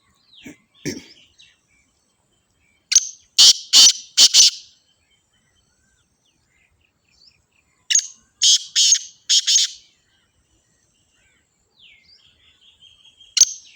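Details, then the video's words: Black francolin in Sindh, Pakistan: two loud phrases, each of four to five harsh, rasping, broadband notes in quick succession, spaced about five seconds apart. Faint thin chirps are scattered between them against an otherwise quiet background. "Kala Teeter"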